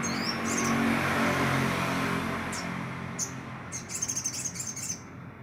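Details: Olive-backed sunbird kept in care, now singing actively and used to lure other birds: a few scattered high, thin chirps, then a fast burst of about eight sharp, high twittering notes over a loud, low, noisy background.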